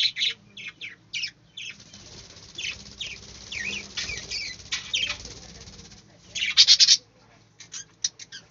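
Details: Aviary budgerigars chirping in rapid, buzzy, high-pitched notes, some warbled and twisting, coming in clustered bursts with a loud harsh burst near the end and a low background hum.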